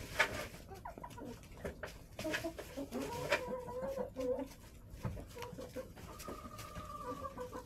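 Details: Backyard hens in a coop in winter, after days below zero with snow, clucking in low, drawn-out murmurs and short calls, several overlapping, with a longer steady note near the end and a quiet background hiss.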